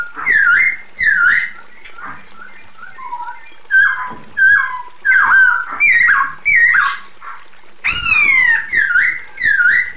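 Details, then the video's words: Female Chinese hwamei calling the male: a long series of loud whistled swooping phrases, V-shaped and rising slurs, with a harsh rasping burst near the end and short gaps between notes. "SUARA POKSAY HONGKONG BETINA GACOR MEMANGGIL JANTAN"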